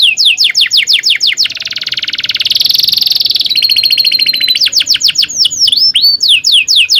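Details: Training song of a canary, a long rolling tutor for teaching young canaries. It opens with quick descending whistles, swells into a loud buzzy roll, shifts to a thinner trill, then returns to bright down-slurred notes.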